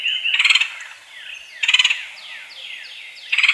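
A woodpecker gives three short, fast chattering bursts of about ten sharp notes each, roughly every 1.5 seconds, with faint falling whistles between them.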